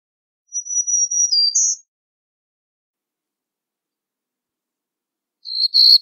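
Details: Black-throated green warbler singing: a thin, high, buzzy run of drawn-out notes lasting about a second and a half, ending on a brighter note. Silence follows, then a second short buzzy burst near the end.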